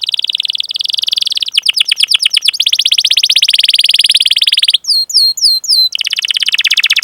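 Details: Rolling canary song ('ngerol') meant to trigger singing in other canaries: a long buzzy trill that breaks into quick sweeps, a few slower down-slurred whistles, then the buzzy roll returns.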